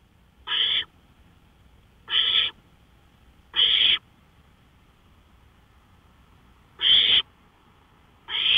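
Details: Owl calling from a porch at night, May 5, 2013, 1:53 AM: five rough, hissing bursts, the first three about one and a half seconds apart, then a longer silence before two more.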